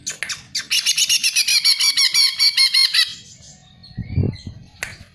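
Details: Greater green leafbird song used as a lure to make other birds sing: a fast run of about a dozen rapid, evenly spaced buzzy high notes, then quieter scattered chips with a low thump.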